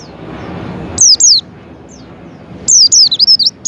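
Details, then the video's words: Javan white-eye call used to prompt a pet white-eye to open its beak and sing: loud, high, sharply down-slurred whistled notes in two bursts, the second a quick run of five or six wavering notes. "suara untuk pancingan pleci agar pleci buka paruh"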